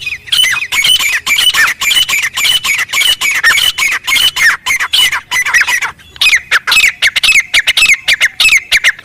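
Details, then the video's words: Grey francolin calling in the wild, loud harsh high-pitched notes repeated in rapid series about twice a second, each with a sharp rising-falling stroke, a short pause near the middle before the series resumes. "Teetar Ki Zabardast Awaaz | Jungle Mein Original Voice"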